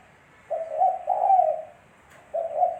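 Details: Daytime cooing of a Spotted dove, recorded as a lure: one full low two-part phrase with a short opening note and long rolling coo, then the start of the next phrase.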